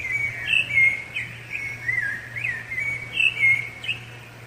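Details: Rufous-bellied thrush song for defending territory and attracting a mate, a run of short fluting whistled phrases that dip and lift, some with a sharp upward flick, delivered steadily over a faint low hum.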